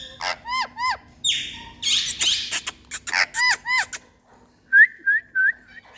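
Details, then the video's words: Parrot in India calling with repeated arched whistles, bursts of harsh screechy squawks and clicks, then a short series of bright whistled notes. "Mithuu Ke Awaaz🥀Parrot Sounds Miya Mithuu"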